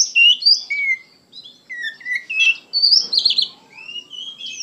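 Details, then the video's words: Oriental magpie-robin, singing gacor and full of emotion: clear, separated whistled phrases, some long and downslurred, with short pauses and a rapid twittering burst near the end. "KACER GACOR PENUH EMOSI"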